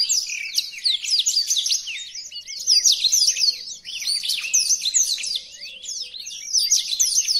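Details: {'caption': 'Blackthroat song used as a master recording for other birds: a continuous high warble of sharp chips, downslurred whistles and fast trills, in surging phrases with brief dips.'}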